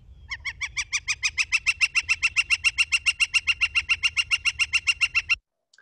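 A Northern Flicker gives a long, steady run of loud, ringing wik notes, about three or four each second for five seconds, over a faint low rumble.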